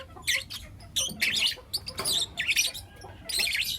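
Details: Four young lutino lovebirds in morning chatter: scattered buzzy, wavering high chirps in separate bursts, a few sharper squawks, and a faint low hum behind.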